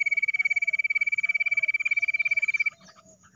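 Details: Jungle bush quail called in with a mobile phone: a fast, even train of pulsed high whistles, close to four a second, stops abruptly near the end, leaving faint background.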